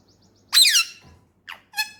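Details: Male Indian ringneck, a pet talking parakeet, gives one loud rasping squawk followed by two short squeaky notes, the last with stacked even harmonics.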